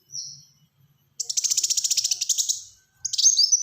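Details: Black-throated sunbird singing actively in dense rapid bursts, a tutor and lure recording: a brief high thin note, then a fast buzzy rattle of about twenty pulses, ending in a bright high twittering phrase.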